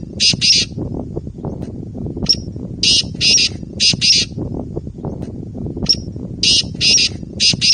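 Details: Black francolin (kala teetar) call, locally heard as 'subhan teri qudrat': harsh, buzzy grating bursts in quick clusters of two or three, repeated several times, with a low rumbling background and brief thin whistles between phrases.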